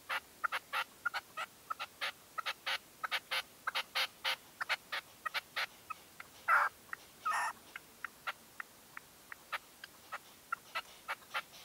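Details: Partridge decoy in a dawn hunting stand, 2023: a long rapid stream of short clucks and ticks, with two drawn-out louder rasping calls near the middle, then sparser notes.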